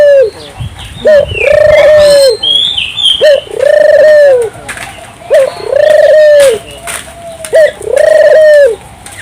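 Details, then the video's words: Turtle dove singing energetically to prompt local doves to join in; four phrases, each a brief clipped note leading into a long smooth coo, evenly spaced, with faint chirps from other birds. "suara burung puter gacor, merangsang burung puter lokal ikut gacor"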